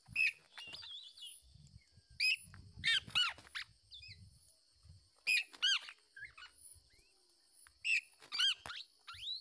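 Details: Parent black-naped oriole protecting its chick from a male attempting to take it: clusters of harsh, nasal, down-curving calls in short runs, separated by quiet gaps with faint low rustling and knocking.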